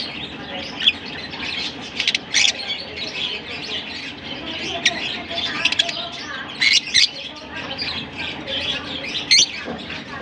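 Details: Larkana lovebirds keep up a dense high-pitched squeaking chatter, punctuated about every second or two by sudden loud, sharp chirps and clicks.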